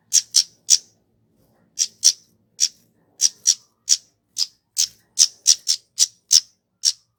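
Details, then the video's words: Kemade call used to lure cit keres birds into singing: fast, piercing, high-pitched chips, with quick doubled notes, a short pause after the first burst, then a steady run of evenly spaced sharp ticks. "Suara asli burung kemade"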